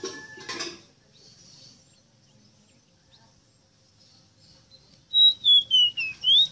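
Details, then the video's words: Rosita song near the end of a quiet stretch: a series of loud, pure whistled notes dipping gradually lower, then a final note sweeping upward. "EXTRAORDINARIO CANTO DE ESTA AVE ROSITA"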